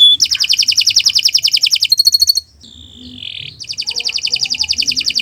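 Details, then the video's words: Canary song used as training material (masteran) for other birds: long rapid rattling trills, a brief pause with a sliding tone, then the trill resumes. "Kicau Burung Kenari 179 II LUAR BIASA GACOR PANJANG Cocok untuk Masteran"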